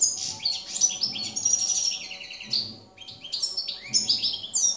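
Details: European goldfinch (field type, jilguero campero), 2017: quick bubbling phrases of high, sliding whistles and chirps, pausing near three seconds before resuming with bright twitters.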